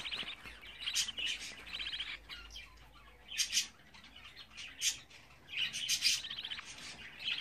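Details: Budgerigar chicks, 24 days old, giving rasping, buzzy chatters in separate bouts every second or so, with sharp clicks and short quiet gaps between them.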